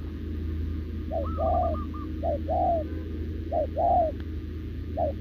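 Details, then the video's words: Short-legged spotted dove, caught wild and now caged, cooing steadily with a decoy. A higher rattling phrase opens, then three spaced pairs of short-then-long falling coos and a final clipped note, over constant low hum. "Bổi đồng chân lùn | Bo mình chắc đẹp | gù liền với mồi Đồng TT"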